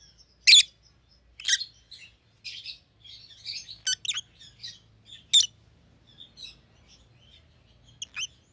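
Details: Rosy-faced lovebirds bred as white-headed pallid opaline and white-headed green opaline call in loud sharp chirps roughly every second, interspersed with faint high twittering, during a quiet indoor recording.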